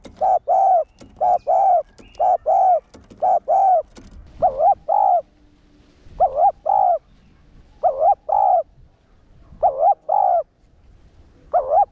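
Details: Caged decoy spotted dove in one-ending cooing style, meant to stir rival males. Paired hollow coos come fast at first, then the pairs space out with pauses of about a second and a half. A faint low hum sits beneath.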